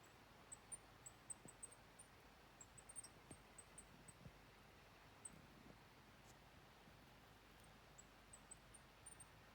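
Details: Several Golden-crowned Kinglets in a small tree in Plumas County give very high, thin, faint call notes, singly and in short bunches, over a soft rustling, breezy background.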